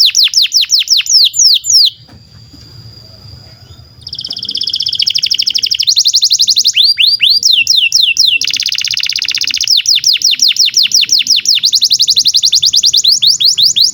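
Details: Canary singing a long, varied song used to coax young or silent canaries into singing: descending whistled notes, a brief steady tone with a low hum, then rapid rattling trills and fast downslurred phrases.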